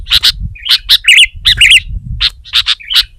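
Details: Sooty-headed bulbul in spirited song against a rival: a dense string of bright chirps and rich, bubbly, looping warbled notes, almost without pause, with faint low background noise.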